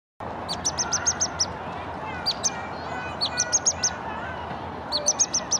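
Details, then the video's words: A Pygmy Nuthatch gives quick bursts of five or six high, sharp piping chirps, repeated several times over a steady background hiss. "A Pygmy Nuthatch Chirping!"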